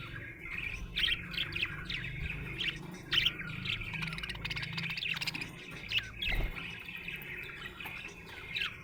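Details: Happy budgerigar chatter, a dense, scratchy, rambling warble with many short chirps and squeaks spread throughout, plus a brief low thump near six seconds.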